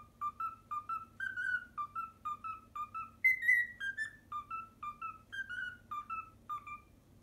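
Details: Whistled rendition of the Pythagora Switch opening melody by a pet cockatiel, bright notes repeated in quick steady pairs, rising to a higher sustained note midway and resuming the pattern, with a faint low room hum.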